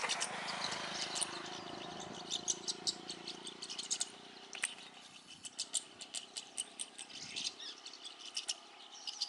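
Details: Migratory rosy starlings eating banana, a bird that travels from Europe to India; a busy flock chatter of sharp, high clicks and squeaky chirps throughout, with a low hum underneath early on.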